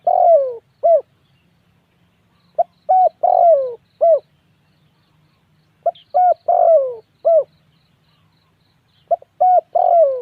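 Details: Spotted dove repeating its cooing phrase three times, roughly every three seconds: short hollow notes, a prolonged coo dropping in pitch, then a brief final coo, over a faint steady low hum.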